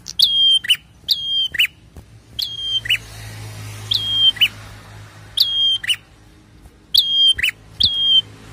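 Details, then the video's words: Prinia song meant to stir caged birds into singing: a run of crisp falling-then-steady whistles, each ending in a lower buzzy chirp, about nine phrases in quick bursts and spaced pairs, with a faint low drone. "PRENJAK LANGSUNG BUNYI"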